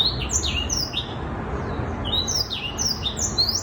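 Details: Six-month-old black-throated canary giving high, sweet song phrases: rapid sliding chirps in two flurries separated by a short pause, set against constant low-pitched background hum.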